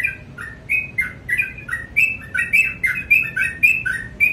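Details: Morning song of a sooty-headed bulbul, a busy run of bright whistled two-part notes, high then dropping lower, tumbling quickly one after another over a soft low rumble.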